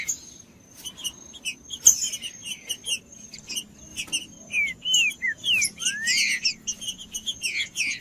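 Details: Green-winged saltator song for warming up a non-singing bird: scattered clicks at first, then clear whistled slurs, some falling and one rising, in a quickening phrase over a faint continuous high note.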